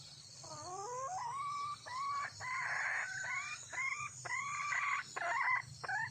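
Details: Wild red junglefowl hen calling to attract a male: loud, harsh, rising stacked notes delivered in short bursts, about eight phrases in six seconds, over a steady high insect drone.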